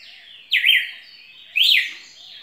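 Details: Red-cowled cardinal singing two loud, clear whistled phrases about a second apart, each a quick rising and falling slur, over a faint, steady high-pitched background tone.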